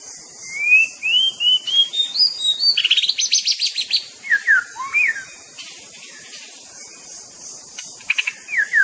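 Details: Continuous White-rumped shama (murai batu) song, a mimicking songbird: rising and falling clear whistles, a rapid chattering run, then swooping slurred notes and scattered chirps over a constant high hiss.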